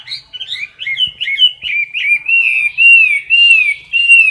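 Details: Caged Chinese hwamei, recorded at close range during competition singing: quick, jumpy warbled notes that give way to long, smooth, wavering whistles, repeated in loud bursts with short gaps.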